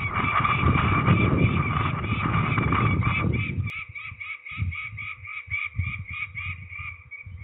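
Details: Peregrine falcons at ringing in Trzebież, Poland, 13 May 2019: loud rustling noise covers the first half, then clear rhythmic harsh calls repeat about three times a second, with soft knocks.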